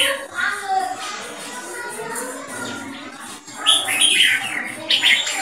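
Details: Red-whiskered bulbul, a caged Thai jambul competition bird over four years old with an open tail display, giving loud keke calls: bright, harsh chattering bursts near the end, over a dense murmuring background.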